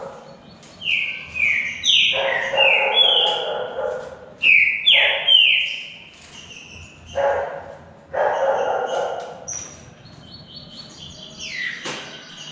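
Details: Green-winged saltator in a singing contest between two birds: loud whistled phrases slide downward in quick series, broken by bursty lower rasping sounds and short pauses, with a sharp high note near the end.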